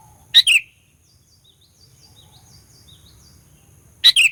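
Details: Lure song of a sooty-headed bulbul, used to rile rival bulbuls: two loud phrases about four seconds apart, each a piercing note then a bubbly falling chirp, with soft high twittering from other birds in between.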